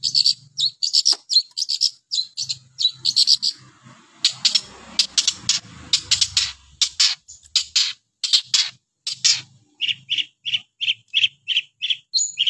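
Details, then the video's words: A long-tailed shrike sings a varied run of chirps and scratchy buzzes, then settles into a steady series of clear repeated notes; a faint low hum and rustling sit beneath in the middle. "KICAUAN BURUNG PENTET gacor"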